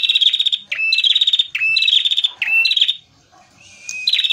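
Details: Singing male prenjak merah prinia used as a lure. Its song is a string of rapid, high trills, each phrase ending in a short dip to a lower note, repeated about four times before a pause.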